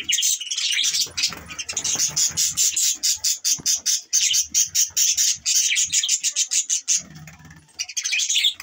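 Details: Budgerigars in the morning, chattering steadily: dense bursts of high, scratchy chirps and squawks, rapid and irregular, with short clicking notes packed closely throughout and only brief pauses, several birds overlapping.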